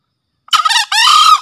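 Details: Green junglefowl cock in full breeding condition, crowing as a master call for luring wild junglefowl: a loud two-part crow, a short harsh rasping burst followed after a brief gap by a longer, steadier, buzzy note, with silence before.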